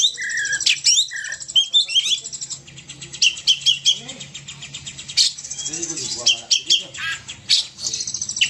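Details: Oriental magpie-robin in vigorous, intense song: a jumble of harsh scratchy notes, buzzy bursts and short whistles delivered in quick uneven phrases, with some chattering in the background.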